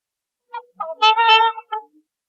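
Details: Swans in a small flock resting by water in Southern Ontario, Canada, honk after preening their bellies, while wiggling their tails: two brief nasal notes, a longer blaring honk, then a short closing note, within about 1.5 seconds.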